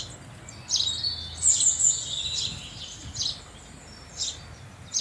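House sparrow giving bright, high chirps in short irregular bursts, with a quick run of sharp notes near the middle, over light background noise.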